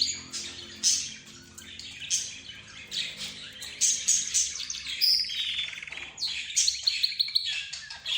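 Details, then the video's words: Mixed captive birds, budgerigar, rosy-faced lovebird, zebra finch and canary, chattering together: dense overlapping high chirps, twitters and short trills with no pauses. "حديث الطيور"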